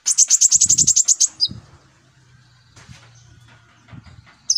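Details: Sunbird (kolibri ninja) lure song used to train a young bird: rapid, even series of high, sharp chirps for about a second, then quiet with low rumbling background and a brief high note at the end.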